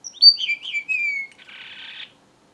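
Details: Singing strawberry finch, locally called bengali rojo: a string of high whistled notes sliding downward, ending in a short buzzy, rasping phrase, with no other sounds.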